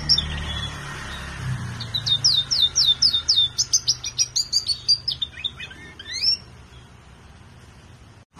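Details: Colour canary from a breeder's collection giving a rhythmic series of bright, repeated high chirps, about three per second, then a descending run of notes, over a low background rumble.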